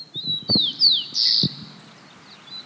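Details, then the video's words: Rufous-collared Sparrow (chincol), a common year-round singer in Santiago, Chile, sings clear, high whistles of short slurred notes around four kilohertz, then a drawn-out buzzy trill, with a few low knocks and thumps underneath. "Este es el canto del chincol."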